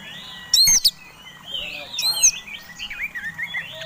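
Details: Provoking fighting song of an Oriental magpie-robin: two loud sharp bursts, then a softer run of wavering whistled notes repeated quickly.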